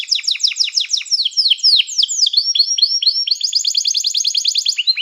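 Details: Canary calling companions to sing, a song used to train canaries: a continuous run of quick descending whistles, shifting into slower slurred notes and then a fast, even high trill.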